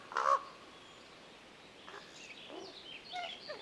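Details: Common Raven in Tahoe National Forest at Yuba Pass in the Sierra, California, perched on a tree above the recordist: one loud, harsh croak opens, followed after a pause by soft, scattered higher notes.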